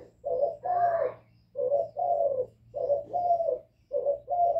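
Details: Young spotted dove calling with a mix of calling and bowing coos: paired mellow coo notes repeated in steady pairs about once a second, with a faint low background hum.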